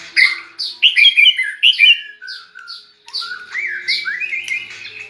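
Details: Song of a white-rumped shama raised near red-whiskered bulbuls and imitating their voice: a quick series of bright, bouncy whistled notes, a short pause, then longer rising slurred whistles.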